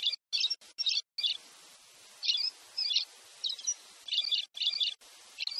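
Pileated Parrot giving short, harsh, chattering notes in quick bursts, roughly two per second, high-pitched and squeaky, with brief silent gaps between phrases.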